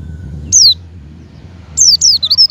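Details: Javan white-eye lure call meant to get a caged white-eye to open its beak and start singing: one thin, high downslurred chirp, a pause, then a rapid run of wavering high notes ending in short clipped chirps.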